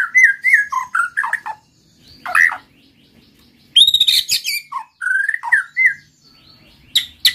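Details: White-rumped shama song for encouraging other shamas to sing: varied whistled phrases with falling notes, a harsh burst, then a high rattling run and further rising and falling whistles.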